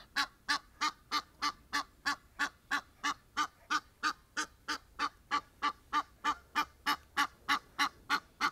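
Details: Egyptian geese gathered outdoors, one showing a stretched-wing display; a long even run of raspy honking notes, roughly three each second, steady in pace and loudness throughout.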